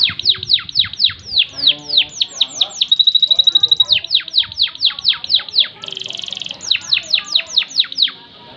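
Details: Loper canary with long-lasting, loud song: series of quick falling whistled notes, broken by a steady high rapid trill and later a short buzzy rattle, then more descending whistles in a brisk, even rhythm.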